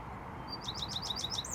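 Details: Male American goldfinch in Iowa singing close by: a thin high note opens a rapid string of bouncy, repeated twitters that rise and fall, ending on a higher slurred note.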